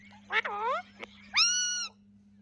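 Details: Pet Rose-ringed parakeets, blue and green ringnecks, making natural talking sounds: a harmonic call sweeping down then rising, a brief click, then a longer steady nasal tone. A faint constant hum underneath.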